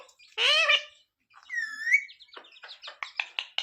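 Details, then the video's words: Pet parrot speaking a roti request: one loud harmonic syllable, a clear whistled rising-falling tone, then a series of short sharp clicking ticks. "Parrot talking mummy mithu ko roti do"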